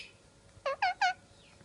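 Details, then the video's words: Pet parrot out of its cage, giving three short, evenly spaced nasal call notes. The notes are rich in harmonics and slightly downslurred, and each lasts about a tenth of a second in a quiet indoor setting. "Here the Sound of Rio Parrot"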